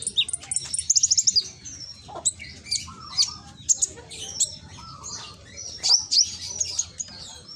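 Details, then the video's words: Konin from Gresik, East Java, singing a lure song for lazy birds: a quick trill of high notes at the start, then scattered thin chirps and short whistles over a soft, noisy background. "Pancingan konin yang malas bunyi langsung emosi ikut nyaut"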